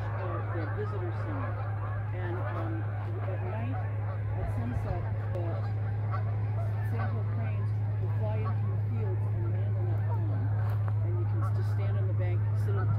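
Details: A flock of geese passing overhead along the Rio Grande in New Mexico, heard from a riverside hiking trail: a dense chorus of overlapping honks and yelps, continuous throughout, over a constant low drone.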